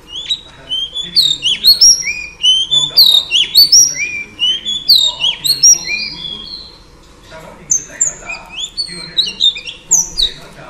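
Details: Female oriental magpie-robin singing to spur males into song. Dense bursts of quick whistled and chattering notes repeat about twice a second, pause briefly, then resume.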